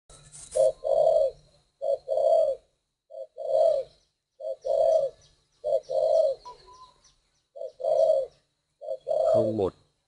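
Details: Spotted dove cooing: soft, low hollow coos in short pairs, a brief note followed by a longer one, repeated steadily, with faint background noise and a brief clatter at the end.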